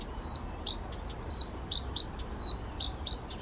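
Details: Male Blyth's reed warbler singing spontaneously, without playback, near Bukovský pond by Těchařovice, Czech Republic, on 19 June 2014: short high whistled notes and brief buzzy clicks, the same motif repeated roughly every second over steady low background rumble.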